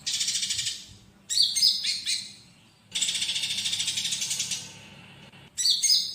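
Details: Training recording of olive-backed sunbird with inserted fighting-sparrow sounds: two long, grating, pulsed trills separated by a short burst of piercing high whistles that drop in pitch.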